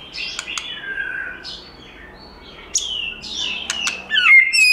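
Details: White-rumped shama in forest-style song: soft drawn-out descending whistles and thin high slurs with a few sharp clicks, ending in a louder rising, twisting whistle; low hum in the background.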